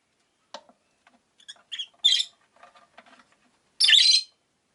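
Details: Caged rosy-faced lovebirds, five kept by a window, give scattered harsh chirps and two loud buzzy shrieks, with faint softer chatter and rustling between calls.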